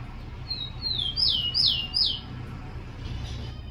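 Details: Rufous-collared sparrow (tico-tico), a captive bird, sings a song played to train and warm up birds to sing: thin high whistled notes, then three loud slurred notes sweeping downward, over a low steady hum.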